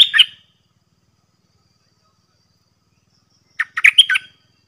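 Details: Caged red-whiskered bulbul of the Dok Taeng song style, used as a decoy in Thailand, singing out against bold wild bulbuls that came in to fight: a brief burbled phrase, a silent pause, then a quick run of chirpy notes.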